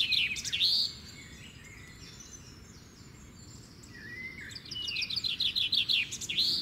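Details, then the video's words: Wild bird song: a burst of high twittering, a quieter stretch with faint notes and a gliding whistle, then a rapid string of sharp repeated chirps, all over low steady noise. "Birds Natural Singing Sound"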